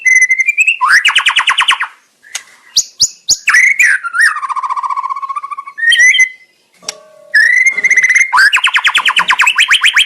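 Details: White-rumped shama song as bait for a bold reply: dense fast trills of sharp notes alternating with whistles, a low rolling buzzy trill, brief quiet gaps, then a renewed rapid trill.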